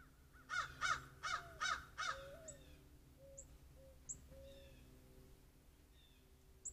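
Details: Crows calling near a deck where a gray squirrel sits on the railing, captured by a trail camera: five harsh, hoarse caws in quick succession, followed by quieter thin chirps and a few faint clicks.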